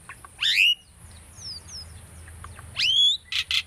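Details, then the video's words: Pet Asian starling in training song: two bright rising whistled sweeps about two seconds apart, soft thin notes between, closing with short harsh buzzy bursts. "asian starling singing video - starling bird training song"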